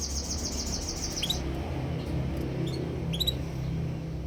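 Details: A canary opens with a rapid, even trill of high repeated notes for about a second, then adds a few separate sharp chirps against a constant low rumble.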